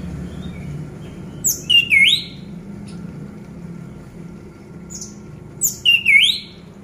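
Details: Lure song of an orange-headed thrush for getting silent birds to sing: two matching phrases several seconds apart, each with high thin notes and a looping whistle that dips and rises, over a low indoor hum.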